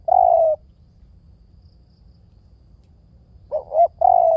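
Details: Spotted dove calling: a long level coo at the start, a three-second pause, then a fresh phrase of a broken two-part note and another sustained, gently falling coo.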